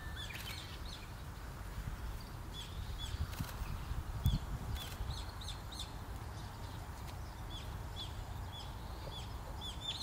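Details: Long-eared owl parent and young on Tsushima: thin, squeaky high notes repeated roughly every second over a steady low rumble of wind or distant traffic.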